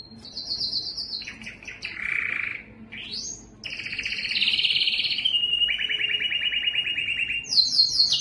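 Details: Belgian canary giving its loudest breeding song to attract females: rapid trilled tours at changing pitches, a buzzy low roll, a rising sweep, then long rattling trills and a high ringing phrase.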